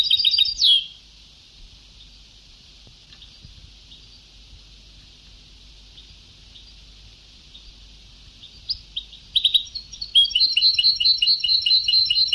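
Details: European goldfinch recorded on an old Ceuta-style song tape: a short buzzy burst at the start, a long hiss-filled pause with faint notes, then rapid sparkling twitters resuming toward the end.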